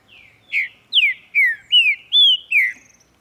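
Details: Morning song of a green-winged saltator. A soft lead-in note is followed by six loud, clear whistles, mostly down-slurred with one rising, delivered at an even pace over about two seconds.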